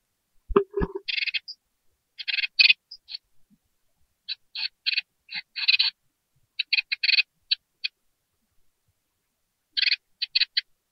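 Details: A brood of just-hatched great tit nestlings in a nest box begs to be fed with repeated hoarse, hissing rasps in irregular clusters, opening with a low knock or thump.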